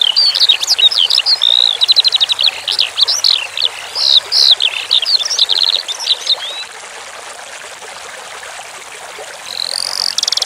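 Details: Eurasian skylark song for training cage birds: a dense burst of varied high whistles and fast ticking trills for about seven seconds, then only the hiss of running water, with a few notes returning at the end.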